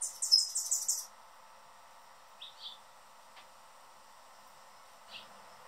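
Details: Male Anna's hummingbird on his favorite feeder, guarding the perch and being noisy. A one-second burst of quick high chattering chips opens, followed by a few soft, scattered lower notes in the quiet.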